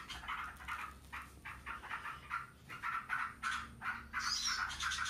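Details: Noisy, nonstop ngebren song of yellow-vented bulbuls calling back and forth; rapid gurgling phrases repeat about three times a second, with a brighter, higher note near the end.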